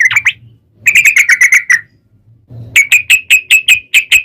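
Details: Sooty-headed bulbul giving its long 'ropel' song as a lure for other bulbuls: a short burst of notes, then a rapid chattering run, a brief gap, and a fast, even series of sharp whistled notes.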